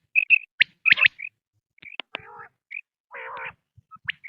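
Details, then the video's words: Quail, from a recording used for hunting: short sharp chirps and whistled notes near the upper register, with brief lower buzzy harmonic bursts, irregular and spaced through the clip. "sound of btair 2023/بٹیر کی لاجواب کیسٹ"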